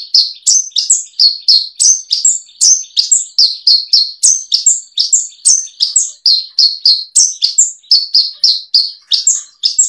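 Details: Horsfield's bush lark song from a 2022 collection of tutor recordings for training caged birds: rapid, high chirping notes at about three per second, with short sharp notes mixed with slurred ones, steady and clean with no other sounds.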